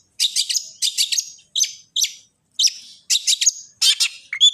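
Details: Long-tailed shrike song used as a training recording to make other shrikes sing: bursts of harsh, buzzy, high chattering notes in short clusters of three or four, separated by brief silences.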